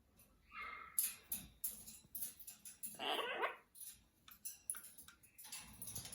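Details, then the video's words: Pet Amazon parrots hanging out indoors. Harsh, raspy squawks and short screeches come in rapid, irregular bursts, with one longer grating call in the middle. "Amazon Parrot"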